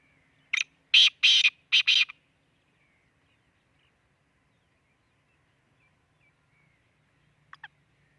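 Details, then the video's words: Black francolin near Khushab, Pakistan, giving its harsh phrase of a short note followed by two paired, loud rasping notes, then a long silence broken only by a faint double note near the end. "kala teeter ki awaz"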